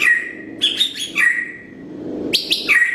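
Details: Morning song of a Blorok white-rumped shama, played as a training lure: a clear steady whistle, a high buzzy double note, another level whistle, then a bright rising flourish ending on a whistle.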